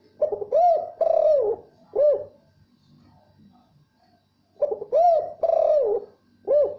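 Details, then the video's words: Spotted dove calling to a female: phrases of three low, rounded coos, the first two swelling and joined, the last short and separate, phrase repeated after a pause of about two and a half seconds. "Suara Tekukur panggil betina"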